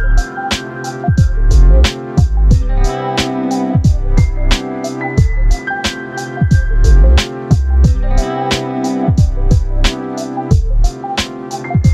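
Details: Steady-beat instrumental music with plucked strings and drums fills the recording, and no animal sound can be picked out.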